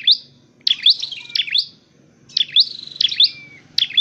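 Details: A dark-necked tailorbird in a training and trapping setting gives loud, high chirping phrases in quick bursts about every second, with sharp rising and falling notes; faint low rumble underneath.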